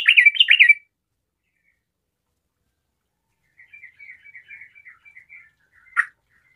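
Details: Yellow-vented bulbul, garuda type, in gacor form gives a short loud burst of rolling, whistled chatter, then a long pause, a string of faint soft twittering notes and one sharp click.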